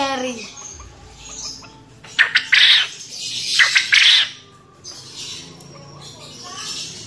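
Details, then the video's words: Male contest quail giving its ceketer call: two loud groups of harsh, buzzy bursts a second apart, each of two or three quick rasping notes, with softer wavering tonal sounds before and after in the background. "SUARA GRANDONG, PUYUH JANTAN JUARA CEKETERNYA MANTAP"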